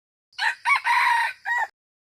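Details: A single crow from a wild red junglefowl (qaib qus): two brief rasping notes, then a drawn-out hoarse middle section and a short closing note. The surroundings are quiet.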